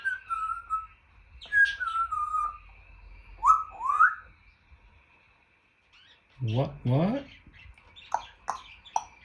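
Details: Male pet African grey parrot mimicking sounds: clear whistled notes sliding downward, a pair of rising whistles, then low buzzy harmonic squawks and a few scattered clicks.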